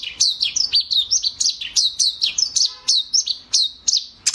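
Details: Eurasian tree sparrow giving a busy run of sharp, high, downslurred chirps, roughly three to four per second and slightly uneven, with no other clear sounds behind them.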